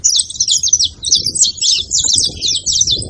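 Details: Saffron finch song, played to warm up and stimulate a quiet canary: a fast, continuous high twittering of bright, buzzy chirps and trills in quick bursts, with low rumbling background noise.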